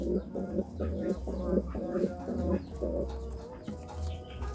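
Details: Courting pigeon giving rapid, evenly pulsed low coos, about two per second in a rolling series, then a short pause and a drawn-out note, over a constant low hum.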